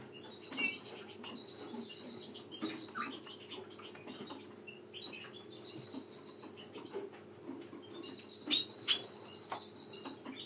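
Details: Small flock of mutation-colour European goldfinches giving scattered thin, high chirps and brief twitters, with a louder pair of sharp notes near the end over a steady low hum.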